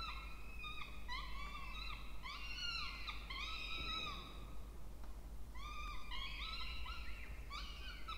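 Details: Two peregrine falcon chicks begging while being fed in a nest box on a water tower at Charles Sturt University, Orange, New South Wales, Australia, 20 October 2024; loud harmonic arched wails in rapid overlapping series, brief pause mid-clip.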